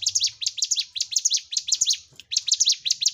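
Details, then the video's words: Bar-winged prinia (ciblek gunung) singing persistently, a recording used to train caged birds: rapid high chirping notes, each sweeping down then up, in fast bursts with a brief pause near the end. "Masteran CIBLEK GUNUNG (CIGUN) Gacor"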